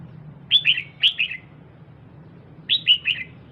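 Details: Female red-whiskered bulbul calling to stimulate the male: two quick bursts of three or four bright, slightly descending chirped notes, the second burst after a pause of about a second, over faint low hum.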